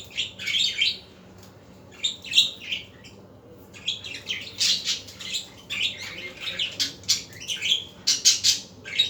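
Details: Budgerigars in the afternoon give bursts of bright, scratchy chirps and warbling chatter, coming in clusters separated by short pauses, with a faint low hum underneath.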